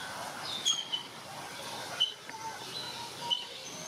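Piapiac giving brief, thin squeaky notes, high-pitched and irregularly spaced, a few per second, over a steady background hiss.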